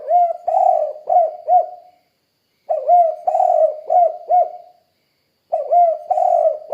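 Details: Spotted dove calling, a lively kuk-kuk style cooing: low hooted phrases of a short note, a long drawn coo and two quick notes, repeated three times with pauses of about a second between phrases.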